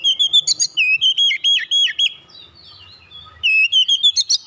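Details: Oriental magpie-robin singing a basic rolling song: rapid strings of loud whistled notes with upward and downward slurs, repeated in tight bursts, with a short quieter pause in the middle.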